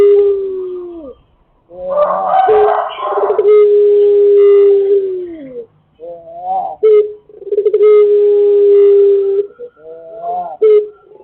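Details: Pelung chicken crowing as a lure recording: long, drawn-out mellow crows held steady for several seconds, with short wavering notes between them and overlapping crows suggesting more than one bird.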